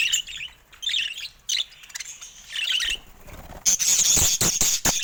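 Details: Caged budgerigars giving rapid high chirps and warbled notes, followed by a harsher buzzy stretch with sharp clicking sounds.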